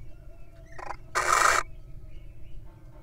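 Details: During the breeding season, at a little owl pair's nest where one bird is incubating eggs and takes a break to eat a mouse, a little owl gives a brief softer rasp, then one harsh, hissing screech of about half a second, over a low hum.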